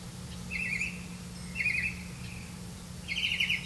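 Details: Grey-capped greenfinch feeding young on caught crickets, giving three short buzzy trilled chirps spaced about a second apart, with a low steady hum underneath.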